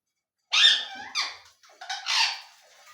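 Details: ['Ring-necked parakeet talking in a small room: a loud, hoarse phrase that trails off, followed by two shorter raspy word-like bursts.']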